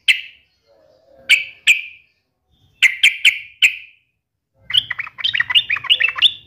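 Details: A yellow-vented bulbul, in audio meant to spur fighting song in other bulbuls, gives sharp, bright chips in bursts, then a rapid bubbly, chattering run of liquid notes over a faint low hum.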